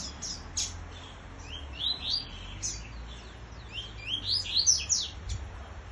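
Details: Double-collared seedeater, described as different, competing in song with a free bird; scattered high, slurred chirps building into a denser run of rapid sweeping notes near the end, over low background rumble.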